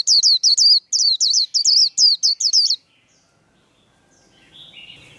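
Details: Quick series of about ten high-pitched hooked whistles from a white-eye in fighting líu style, bright and evenly spaced, then near silence with a faint buzzy sound at the end.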